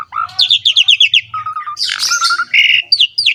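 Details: Javan pied starling in ngerek song, used to prompt other starlings: a fast series of sharp falling chirps, a steady whistled tone, a rough burst and upward-slurred whistles, with a low hum beneath.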